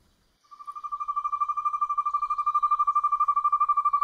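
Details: Asian Barred Owlet calling, possibly by day, in Kaeng Krachan National Park, Thailand: a fast, even trill of hooting notes, about eight per second on one mid pitch, swelling steadily louder.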